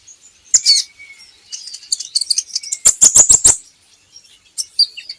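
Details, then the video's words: Kolibri ninja sunbird song for getting birds to sing: a thin drawn-out whistle, busy high twittering, then a quick burst of five sharp ticking notes and more scattered chirps. "PANCINGAN KOLIBRI NINJA Bahan Agar Bunyi || MASTERAN Konin Agar Cepat Gacor"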